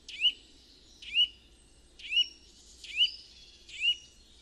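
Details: Eurasian nuthatch, a woodland bird visiting gardens and drawn to bird feeders, sings five clear, slurred whistles, each rising sharply then dipping, about a second apart, over a faint hum.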